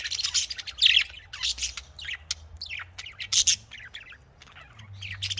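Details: Lively budgerigar warbling: quick chirps, rising and falling squeaks and scratchy notes in uneven bursts.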